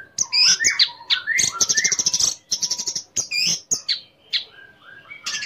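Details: Orange-headed thrush in lively song, played to stir other orange-headed thrushes into singing and to boost their breeding urge; fast mix of high sweeping whistles, chattered rattles and short buzzy notes in quick bursts.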